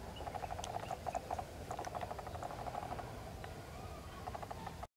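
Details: Wild African grey parrot recorded close up, giving a rapid run of short, clucking, clicking notes at middle pitch in uneven bursts, with a steady low rumble of background noise throughout.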